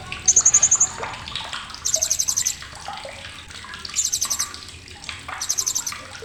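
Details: Blue-crowned hanging parrot giving sharp chattering: four high, rapid bursts of about seven to eight clipped pulses each, spaced roughly every one and a half seconds, over a steady watery rushing background with faint chirps.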